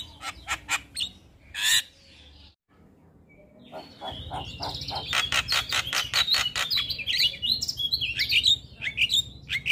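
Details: In the morning, a male Javan myna sings hard with many fill-in phrases: scattered sharp chirps, a brief silence, then a fast rattling series of clicky pulses leading into twisting whistled notes.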